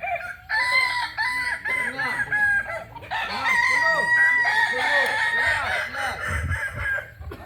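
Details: Authentic Kokok Balenggek cock from Solok, West Sumatra, gives a lengthy crow of regularly repeated arched, bouncing syllables over a sustained ringing tone, with a rumble of low noise near the end.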